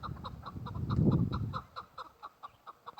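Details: Female chukar partridge giving a string of short, nasal clucking notes at a quick, even pace, with a brief low thump of background noise partway through.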